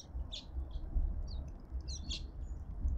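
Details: In a suburban garden feeder in Pretoria, South Africa, cut-throat finches give short, high, thin chirps in scattered bursts of two or three notes, over a steady low rumble.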